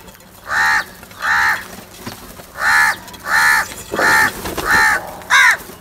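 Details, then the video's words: Repeated harsh caws from a crow, seven in a row at a fairly steady pace of roughly one every 0.7 seconds, the last one higher and sharper, over quiet background noise. "Crow sounds | کوے کی آواز"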